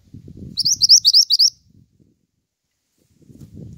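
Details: Pied triller singing as tutor and lure audio for songbirds: a rapid string of about six high, rising chirps. Low rumbling handling noise comes before and after.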